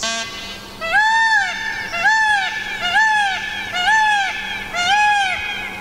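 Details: Indian peafowl (Pavo cristatus) from a wild, non-native group in Tasmania give five loud, nasal, wailing calls, each rising then falling, about once a second, over a faint steady hum.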